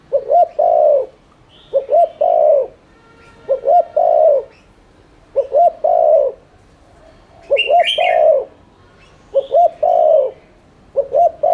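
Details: Spotted dove repeating its three-part coo in 'thúc liên thanh' style, a lure to prompt other doves to coo. Six phrases, two clipped notes then a long, slightly falling note, about every two seconds, with faint high chirps.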